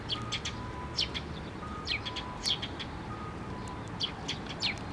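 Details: Sparrows flocking to a platform at Tenmangu shrine to be given food, recorded 6 May 2023; short bright chirps come in quick bursts roughly every second, over a low steady hum and a faint tonal drone.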